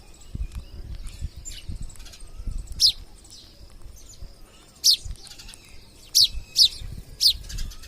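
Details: Wild parrots visiting a home: five loud, sharp, shrill screeches at irregular intervals, with a few fainter calls between them over low rumbling background noise.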